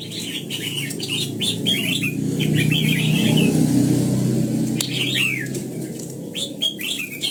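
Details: Red-whiskered bulbul singing in the morning during voice training for the old-forest double-note style: lively, warbling phrases of quick rising and falling notes in bursts, separated by short pauses, over a steady low rumble.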